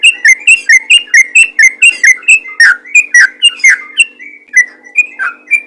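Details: Yellow-vented bulbul in vigorous, rapid song said to call other bulbuls into singing: loud bubbly two-part whistled notes repeated about twice per second, each rising then dropping, with a faint steady hum beneath.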